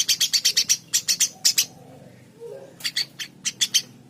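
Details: Eurasian tree sparrow giving bright, high chirps in quick series, about six notes then a short gap, a quiet pause of about a second, then more scattered chirps.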